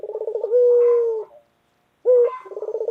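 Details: White 'puter' collared dove calling loudly: the tail of a rolling trill flows into a long steady coo, then after a short silence a sharp note and a new burbling trill begin.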